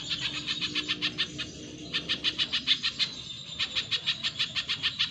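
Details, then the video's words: Spiderhunter kept as a cage bird for tutoring others, giving a long series of quick, piercing high notes, roughly three per second, in two runs split by a short break. "Masteran Pijantung Pisang Gacor"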